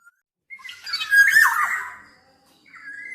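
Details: Black-naped oriole giving a harsh, scratchy, nasal call after a brief whistle, ending in a thin whistled note.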